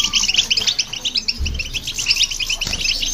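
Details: European goldfinch singing alongside a hybrid, played to stir other birds: dense, fast twittering of high, liquid chirps and trills, nearly continuous, with a few low thumps in the background.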